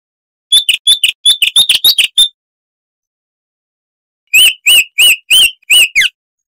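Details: Song of the chestnut-vented warbler, a southern African scrubland bird whose voice is crystal-clear and loud: a hurried run of bright chirps, a two-second silence, then six evenly spaced, slightly slurred notes.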